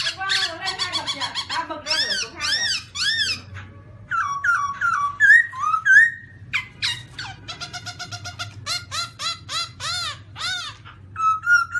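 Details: Black-throated laughingthrush, shown performing funny dances, gives a loud, varied song: rapid runs of rich, harmonic whistled notes, some rising and falling, others sliding upward, delivered in quick bursts with short pauses between phrases.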